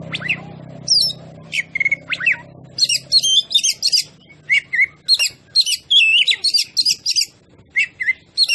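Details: Oriental magpie-robin lure song to provoke other birds: a rapid, steady stream of bright whistled and chattering notes repeated many times a second, after a faint low hum at the start.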